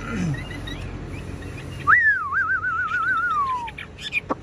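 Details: Caged, fully tame Chinese hwamei giving one long, loud whistled phrase. It swoops up sharply, then wavers in a rapid undulating warble and glides downward to finish.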